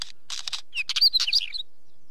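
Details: Rapid wheatear song of scratchy, chattering notes with quick squeaky whistles and a short rising slur, packed into about one and a half seconds.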